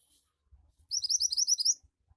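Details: Javan white-eye, a kept songbird, producing a quick run of about eleven sharp, high-pitched chirps in a rapid trill lasting under a second, with faint low knocks around it.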